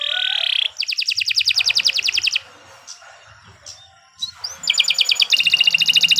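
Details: Canary singing a long, unbroken master song meant for training other birds: fast buzzy trills of rapidly repeated high notes, a pause, then more rattling trills.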